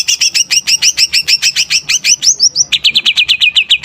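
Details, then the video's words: Lively greater green leafbird song meant to stir other birds: a steady rapid chain of bright double-pitched notes, then a switch to faster, lower repeated chips. "Suara Cucak Ijo Gacor||Cocok Untuk Pancingan Burung||Dapat Menaikkan Emosi"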